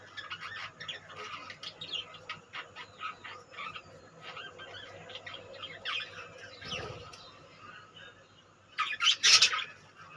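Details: Budgerigars in a colony give dense, overlapping chirps and warbling chatter. A loud burst of harsh squawks comes near the end over a steady low hum.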